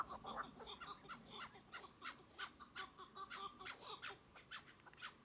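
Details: Chukar partridges calling: a rapid run of harsh, clipped notes repeated about five times a second, each sharp and broadband, keeping a steady rhythm across the clip over a low background hum.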